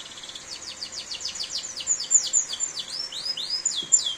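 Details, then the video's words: Canary singing in heavy rain: a fast, high rolling trill of quick downward-slurred notes, then brighter upslurred whistles, over a steady hiss of rain. "Suara Kicauan Burung Kenari di Saat Hujan || The Sound of a Canary Chirping in The Rain"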